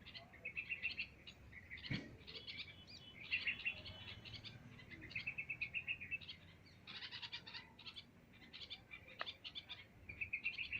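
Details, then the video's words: Several birds chirping on an ordinary day, with rapid runs of high twittering notes in bursts, brief pauses between phrases, and a single dull thump early on. "chirping birds"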